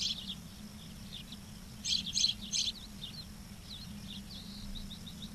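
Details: Nest-cam ospreys at Charlo, Montana, 06/07/2023 around 11:36: three loud, sharp high chirps in quick succession amid softer scattered cheeps and a constant low hum.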